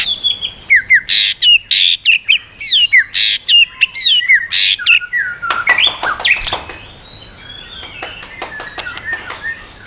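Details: White-rumped shama singing in the swiftlet-ringing style to excite rival birds: loud repeated harsh bursts alternating with falling whistles, fading into quicker, softer clicking notes.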